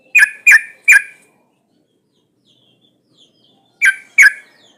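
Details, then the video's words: Sooty-headed bulbul, a female in breeding condition calling to males. Three harsh, emphatic notes in quick succession are followed after a silence of nearly three seconds by two more. "Suara pancingan burung trucuk gacor Ampuh buat memancing trucukan bahan"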